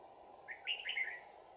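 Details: Red-whiskered bulbul, bell-voiced decoy bird for trapping, singing its fighting song on 11 January 2019. A lively warbled phrase of several fast, liquid whistled notes, over a steady high insect drone.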